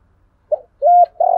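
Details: Spotted dove giving a stimulating call meant to provoke cooing: a short low coo, then a longer steady tonal coo and a sustained slightly wavering coo, each mid-low pitched, in a quiet setting.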